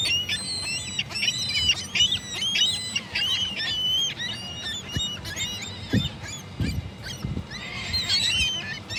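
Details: A flock of gulls calls over and over in harsh, nasal, overlapping cries, several birds at once with short yelping notes stacked on each other; faint low rumble in the background.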